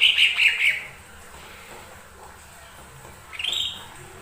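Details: Lesser green leafbird song for provoking other birds to sing: a quick series of about five high whistled notes, silence, then one rising slurred whistle.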